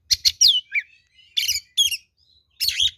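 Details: Oriental magpie-robin (kacer) fighting song used as a lure: sharp chattering notes and a falling whistled sweep, then rasping bursts after short silences.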